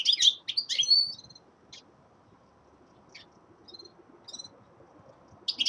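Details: Young male common linnet in winter singing: quick bursts of bright, twittering notes at the start, then scattered short chirps and a few thin tinkling notes with pauses, ending in another twittering burst.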